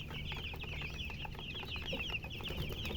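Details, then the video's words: Many young chicks chirping together, shrill short peeps tumbling over one another nonstop, with low rustling in the background. ""Chicks Chirping""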